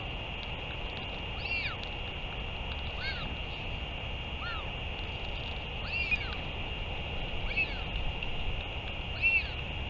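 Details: Northern royal albatross at a return and feeding, recorded 31 May 2023: short arched squeaky calls, rising then falling, repeated about every one and a half seconds over a steady hiss of wind or background noise.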